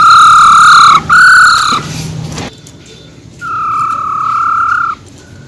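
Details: Female silver-eared laughingthrush, wild-type voice meant to fire up males: loud, rich whistled notes with strong overtones, two in quick succession, a pause, then one long steady whistle of about one and a half seconds.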